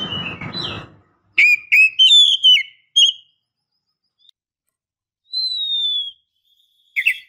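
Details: Female Oriental magpie-robin calling to rouse a male: after a brief rustling noise, clear rising whistles and short slurred notes, then a long drawn-out whistle and a final sharp chirp.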